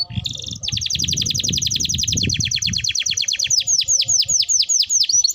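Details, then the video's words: Lure recording of canary song to stimulate singing: a buzzy opening, then a long fast rolling trill that gradually spreads into slower downward-swept whistles, with low background rumble. "Pancingan Suara Burung Kenari Gacor || Ampuh Rangsang Kenari Cepat Bunyi"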